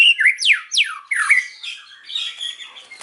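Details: Afternoon song of a white-rumped shama, with steep downward-sweeping whistles repeated about every half second, then rising scratchy phrases and softer twittering toward the end.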